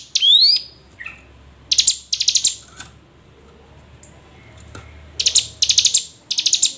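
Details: Hill prinia lure sound for encouraging lazy birds to sing: an opening rising whistle, a lull with faint notes, then several clipped bursts of rapid, very high chips.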